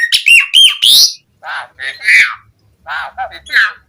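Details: Asian pied starling singing a varied, full-phrased song used as a lure to call captive starlings into active singing: harsh squawks, rising and looping whistles and buzzy chattering notes in irregular bursts with brief pauses between.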